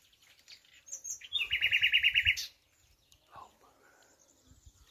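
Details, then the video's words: A common nightingale gives a thin high whistle, then a fast, rich rattle of about a dozen repeated notes in one second, followed by a man's voice, apparently at a bird market. "طائر العندليب من قلب الطبيعة تصنط لهم"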